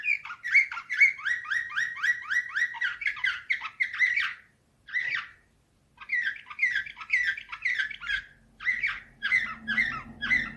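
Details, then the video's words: A Slavujar canary delivers nightingale-style song: long rapid series of upswept chirps, a pause, a single burst, silence, then more fast trilled phrases, with a faint low hum near the end. "Uccello dell'usignolo delle Canarie Slavujar 2024"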